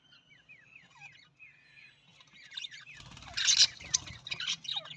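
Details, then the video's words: Budgerigar, an Australian parrot: soft, thin downslurred whistles repeat for three seconds, then a louder burst of dense, scratchy warbling chatter with quick chirps fills the rest. "Australian parrot voice Budgies parrot voice"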